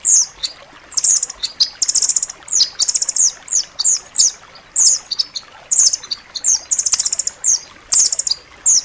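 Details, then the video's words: Dense, sharp rambatan loreng song recorded for training caged songbirds: short high-pitched trilled phrases of quick piercing notes, packed closely together with brief pauses between bursts. "suara masteran rambatan loreng rapat tajam"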